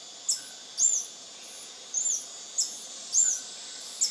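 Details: A lekking male Scale-throated Hermit (Phaethornis e. eurynome) at Intervales, Brazil, on 29 Dec 2019, gives very high, thin squeaky notes: single chips alternating with short arched squeals every half second to second, over a steady insect hiss.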